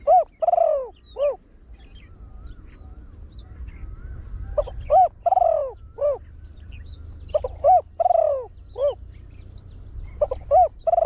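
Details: Big-voiced trained spotted dove crowing in the frequent 'khan yon 1 kuk' style as a lure for wild birds. It gives three cooing phrases, each made of short hoots around one drawn, downward-sliding coo, with quiet gaps between.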